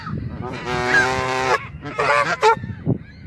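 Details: Canada geese annoyed at being photographed; a long drawn-out harmonic honk, then a shorter honk and a few brief clipped calls over low rumbling background.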